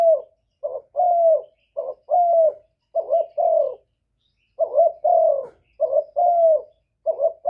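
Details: Stirring call of a spotted dove, intended to make other doves call in reply. Soft, mid-pitched coos come in pairs, a short lead note and then a longer falling coo, with a one-second pause midway before the pattern resumes.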